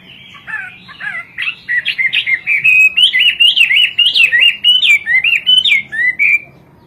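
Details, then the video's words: Hwamei, a Chinese bird imported for its melodious, varied singing, in full song: a rapid run of loud, clear whistled notes that rise and fall, wavering and slurring into one another, ending on a held whistle. "Burung wambie gacor kowor kowor"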